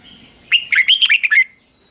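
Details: Red-whiskered bulbul singing a 'double' (เบิ้ล) phrase in the fig-jig-fok pattern, used for young birds to copy. One quick phrase of about seven bright, warbled whistled notes, rising and falling, lasting about one second against a quiet background.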